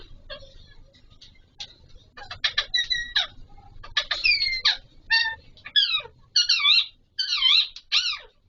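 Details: Alexandrine parakeets, the Pahari Kashmiri parrot, calling during mating; scattered short chirps accelerating into repeated loud harsh squawks with wavering harmonics, roughly every half second.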